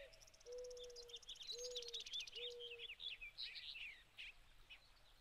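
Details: In spring 2020, a busy flock of American goldfinches in summer plumage, with some pine siskins, feeding on sunflower hearts at a feeder, gives high, sweet twittering chirps with buzzy notes; three low steady humming tones beneath.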